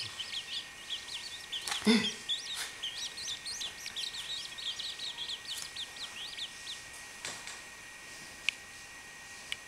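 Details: Chachalaca chick giving thin, high peeping whistles, many short rising and falling notes in quick succession for about seven seconds. A louder knock sounds near the two-second mark, over a steady high-pitched background hum.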